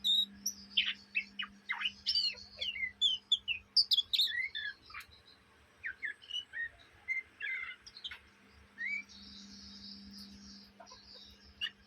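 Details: Young Oriental magpie-robin chattering day and night: lively bursts of sharp whistled and down-slurred chips, a pause midway, then softer spaced notes and a thin hiss, with a steady low hum.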